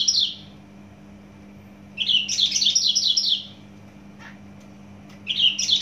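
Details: Javan bush lark native to Java giving a brief buzzy note, then a dense, rapid high twittering phrase lasting about one and a half seconds, followed by silence and another start; steady low hum underneath.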